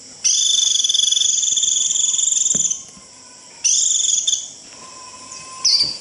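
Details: Japanese white-eye in the 'rít' flock-calling style, meant to attract other birds: a sustained high buzzy trill of rapid pulses lasting three seconds, then shorter bursts, with a faint steady lower whistle in the gaps.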